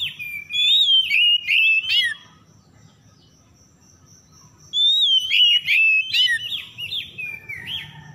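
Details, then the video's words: Oriental magpie-robin singing, played as a lure to make silent birds sing: a run of loud varied whistles and quick chirps, a two-second gap with only a faint steady high tone, then another fluent whistled phrase. "PEMIKAT KACER SETRES MACET BUNYI LANGSUNG GACOR"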